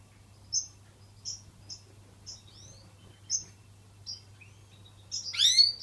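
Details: European goldfinch kept in an indoor aviary with chicks: short, bright, high chirps scattered through the quiet, with a steady low hum beneath and a louder burst of rising twittery notes at the end.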